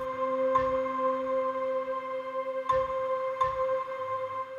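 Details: Calm ambient music with steady, ringing bell-like tones, broken by three short, soft knocks, and no animal voice heard.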